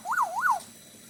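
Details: Black-naped oriole in vigorous Bali-style song: two smooth, fluty whistles, each rising then sliding down, given in quick succession over about half a second against a quiet background.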